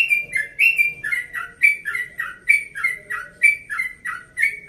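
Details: Yellow-vented bulbul, a caged 1.5-year-old male from Bekasi, singing a relaxed early-morning song: bright whistled phrases around a steady mid-high pitch, each note dipping and sliding, repeated about once a second in an even, continuous run.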